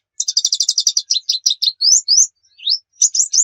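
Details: White-eye song meant to lure a kept bird into song: a fast series of about fifteen high stuttered chips, then longer upslurred whistles and a few final bright twitters.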